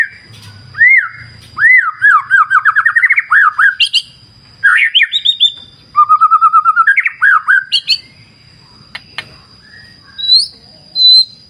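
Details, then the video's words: White-rumped shama (murai batu) pouring out loud, varied song: looping whistles, fast rising and falling sweeps, a rapid trill run, then quieter high notes and pauses, over a thin constant high tone. "Terapi Murai Batu Ala Alam Liar Sungai Jernih"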